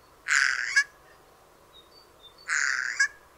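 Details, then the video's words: Eurasian jay of Europe and Asia giving two loud, harsh, rasping screeches about two seconds apart, each ending in a short sharp note, with faint thin notes between them. "Its song is a mixture of loud, harsh screeches"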